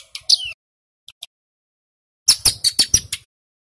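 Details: A male Bar-winged Prinia (ciblek gunung) on a lure recording gives a short buzzy phrase, two faint ticks, then a run of about six sharp, slightly descending chip notes.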